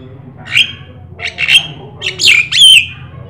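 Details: Javan myna (jalak sungu) in 'gacor' song, used as a master for other birds: spaced harsh squawks ending in two louder, down-sweeping grating whistles, with a low hum beneath.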